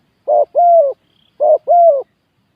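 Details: Spotted dove used as a ground decoy, cooing. Two paired phrases, each a short hoarse coo followed by a longer, slightly falling coo, repeated about a second apart against a quiet background.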